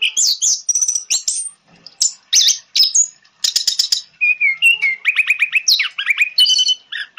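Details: Orange-headed thrush song, used as lure and therapy audio for birds that have stopped singing: a fast, varied run of high whistled phrases, sharp chips and buzzy trills, ending in repeated slurred rising-falling notes.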